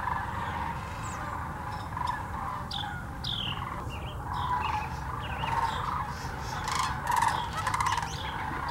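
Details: Migrating sandhill cranes gathered by the thousands at the Hiwassee Wildlife Refuge, Birchwood, Tennessee, recorded on a GoPro Hero 9 and Canon Powershot; a continuous chorus of rattling, rolling calls swells and fades, with sharper high chirps scattered through and low background rumble.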